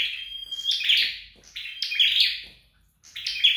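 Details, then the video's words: Red-headed flowerpecker trained at home, delivering a thin sustained whistle, then scratchy high bursts with whistled endings, broken by a short silence. "Dợt Sâu Đầu Đỏ Tại Nhà"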